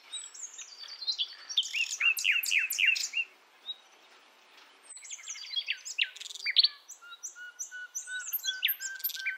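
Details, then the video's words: Female wild Nightingale calling males in Javan forest, used for luring young birds: fast descending chirps and twittering, a short pause, then renewed chirps and a low steady whistle. "Nightingale Bird Singing - Suara Kicau Burung Sikatan Londo Kipas Rimba Emas"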